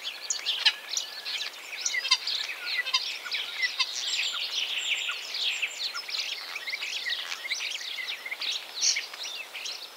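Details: Common starling (Sturnus vulgaris) song, a busy, chattering jumble of high squeaks, clicks and short whistles running without pause, fairly soft against light background hiss.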